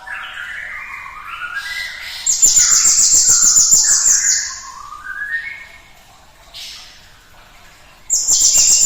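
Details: Cinereous tit song used to stimulate other birds to sing: a loud, very high rapid trill of repeated sharp notes, about three to four per second, with lower warbling and whistled phrases from other birds around it.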